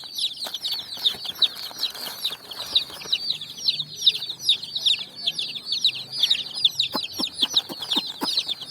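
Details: Colored chicks running on sand and finding food, giving rapid high, thin, downward peeps in a constant overlapping chorus, with brief knocks and taps of movement near the end.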